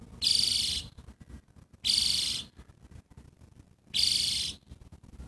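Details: Catbird giving three nasal, buzzy calls, each about half a second long and spaced roughly two seconds apart, over a quiet background.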